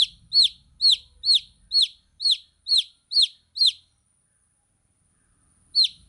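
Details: Baby chicks give eight sharp, high, falling peeps in a brisk regular series, go quiet for about two seconds, then start again with one more peep.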